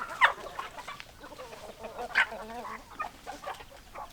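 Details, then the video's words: Farmyard chickens: hens clucking with a few louder, sharp squawks standing out from a background of softer, chattering flock calls. "Chicken Sounds Noises Hens Clucking Roosters Crowing"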